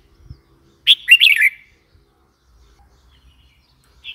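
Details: One bubbly, chattering phrase from a red-whiskered bulbul, a sharp lead note then fast wavering chirps, followed by quiet with a faint start of another note.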